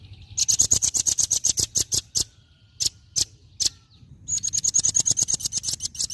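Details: Velvet-fronted nuthatch singing vigorously in rapid trills of hard, high-pitched chip notes that slow into spaced single chips. A second fast, sharp rattling series then runs to the end.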